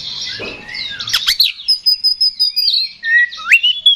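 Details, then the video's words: Kacer, the Oriental magpie-robin, singing the 'ngeplong tarung' style used as a provoking lure. Scratchy chatter gives way to rapid repeated high whistles and a final upward-swooping note. "KACER GACOR NGEPLONG TARUNG !! PANCINGAN KACER PALING AMPUH BUAT MENAIKAN EMOSI KACER AUTO RESPON"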